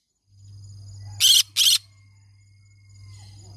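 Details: Green-cheeked conure, a pet parrot described as singing all day long, giving two rapid, harsh screeches close together, then quiet, with a constant low hum throughout.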